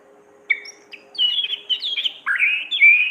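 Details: Orange-headed thrush, a caged songbird, singing in a lively full style for training other birds: short whistled and slurred phrases between 2 and 4k, starting after half a second, growing denser, with a faint low hum underneath.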